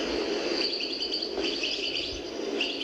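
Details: A European goldfinch sings a fast, liquid, improvised-sounding twittering run of high tinkling notes. It is played from an old cassette, possibly from the 1970s, of a very old song from the Elbia region, with steady tape hiss beneath.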